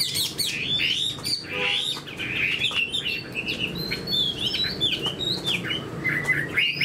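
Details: Caged Chinese hwamei with a spread tail, kept as a fighting bird, singing a dense run of varied, loud, slurred whistles and warbled phrases that rise and fall, with faint low background hum.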